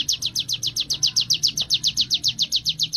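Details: Trained Sunda warbler, ciblek gunung, delivering ngebren song: a fast, rhythmic chain of piercing high downslurred chips at a constant pace, with a quiet low background hum.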